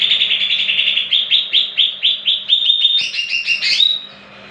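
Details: Lure song of a greater green leafbird meant to set other leafbirds singing: a steady series of loud, clear, slurred whistled notes about four per second, climbing into higher, sharper notes before ending.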